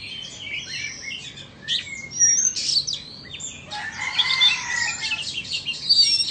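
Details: Two Oriental magpie-robins, a Vietnamese and an Indonesian bird, duel in song. Scattered high whistles and twitters open the passage, which builds into a louder, fuller stretch of overlapping phrases.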